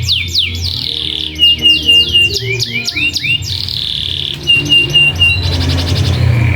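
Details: Lure song of a canary, used as a master to prompt young and adult canaries to sing: swooping high notes, then a steady sustained trill and a final buzzy roll, with a low rumbling background.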